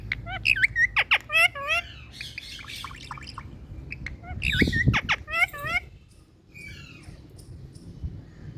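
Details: Indian ringneck parakeet talking: quick strings of speech-like, harmonic squawks and chatters with rising and falling inflections, packed into bursts over the first six seconds, followed by quieter, softer chatter.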